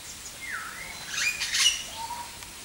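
Black-headed weaver giving a dipping whistle, then a brief burst of harsh, sizzling chatter and a low, level whistle, all within about three seconds.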